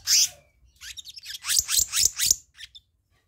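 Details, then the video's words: Black-naped monarch from a bird-lure recording: one loud rasp, then a tight series of five or six harsh, scratchy notes, fading to silence. "Masteran/Pancingan Kehicap Ranting Bahan Dijamin Langsung Nyaut"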